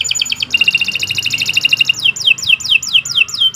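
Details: Canary of the Kenari Nusantara kind in continuous song: a rapid pulsing trill followed by a series of sharp whistles swooping downward in quick succession, over a low background hum.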